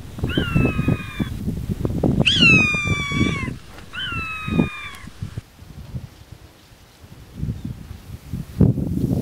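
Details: Galapagos hawk, endemic to the Galapagos Islands, while raising chicks: three loud, harsh, downslurred screaming calls in quick succession with rich harmonics, the middle one longest, followed by low rumbling background noise and no further calls.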